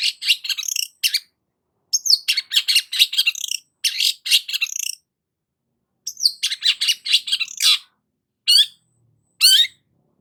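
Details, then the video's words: Long-tailed shrike in energetic song, used to provoke a stressed bird to sing: clustered bursts of sharp chirps and scratchy notes in phrases of one to two seconds, separated by brief silences, ending in single rising squeaks. "BURUNG CENDET GACOR PALING AMPUH UNTUK PANCINGAN CENDET STRES"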